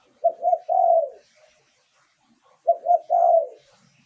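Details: Spotted dove used as a decoy singer: two identical low cooing phrases about 2.5 seconds apart, each two brief coos followed by a longer drawn-out note.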